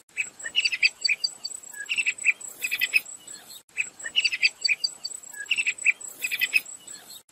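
Sharp-tailed tyrant giving thin, high chirps in quick clusters, repeated every few seconds, over a steady high insect drone.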